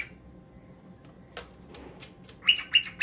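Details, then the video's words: Cockatiel singing: after a quiet stretch, three loud, sharp chirps come in a brisk, evenly spaced row. "Cockatiel Singing"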